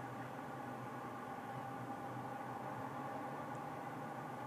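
A steady low mechanical hum with a constant tonal drone fills the whole recording, with no animal voice present.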